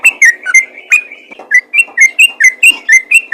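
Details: Rapid 'ropel' calling by a yellow-vented bulbul that summons other bulbuls: loud, clipped whistled notes rattled off about twice per second, each a sharp bright chirp with a slight rise and fall. No other sounds.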